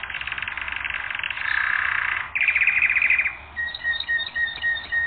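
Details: Canary training recording: a lower, rolling, rattling trill held for over two seconds, then a brighter rapid buzzing trill, then scattered short whistled notes.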